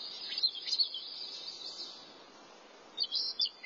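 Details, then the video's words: Thrasher singing: a burst of varied high chirps and warbled notes in the first second, a quiet gap, then a short chattering phrase near the end over a soft steady hiss. "Thrasher sings"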